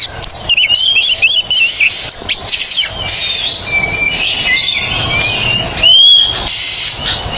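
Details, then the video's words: Oriental magpie-robin on a training recording for birds that have stopped singing: rapid twisting whistles, then clear drawn-out rising notes, with intermittent loud hissing noise. "TERAPI KACER MACET BUNYI"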